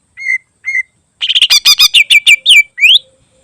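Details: Greater green leafbird song with imitated filler phrases, meant for tutoring other birds: two level whistles, then a fast rattling run of buzzy notes that ends in upward-sweeping whistles.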